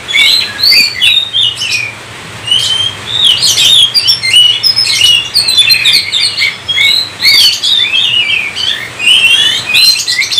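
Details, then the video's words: Oriental magpie-robin (kacer) in full 'gacor' song, meant to set other magpie-robins singing: a dense, unbroken run of bright whistles, slurred upsweeps and short chattering notes, with a faint low hum underneath. "Kacer COVID-20 mampu sebarkan virus gacor kacer Anda"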